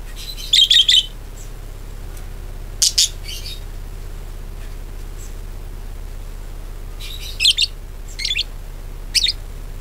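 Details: Lure recording of a budgerigar meant to prompt other birds to sing: scattered bursts of high, rapid chirps separated by long quiet gaps, with a low background hum throughout.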